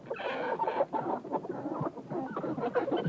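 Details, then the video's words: Chickens in a hen house, several birds clucking and murmuring together in a continuous overlapping chatter of short nasal notes. "CHICKENS IN HEN HOUSE SOUND EFFECT"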